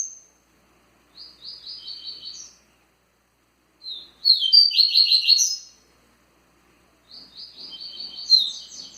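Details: Three separate phrases of Tui Tui song from a kept double-collared seedeater, each a rapid chain of high, sharp chirps, the middle phrase loudest, with silent pauses of over a second between them.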